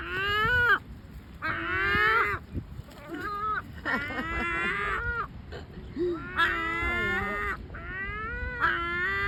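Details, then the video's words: Several great black-backed gulls trade long, nasal, wavering complaints separated by short gaps, calls overlapping and some ending in a rising whine. "SVARTBAK SEAGULLS FUNNY COMLAINING SOUNDS"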